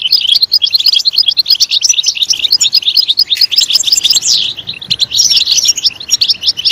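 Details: A European goldfinch sings loudly and continuously in a recording used to spur goldfinches into song, pouring out quick tinkling chirps and buzzy trills with hardly a break.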